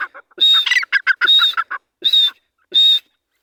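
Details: Grey francolin, free in jungle during breeding season, mixing rapid chattering, clucking notes with four loud, high, piercing whistles, the chatter crowded into the first half and then two evenly spaced whistles.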